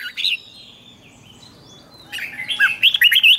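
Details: A red-whiskered bulbul used as a decoy to attract wild birds gives a brief whistled note, then after a long pause a rapid run of liquid, up-and-down warbled notes that grows louder.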